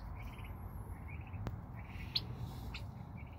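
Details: Young turkeys outdoors in October 2020, getting used to the outside while a chicken coop is built nearby. Soft, quavering high peeps come in short trilled bursts every second or so, over low rumbling background noise and a sharp tap.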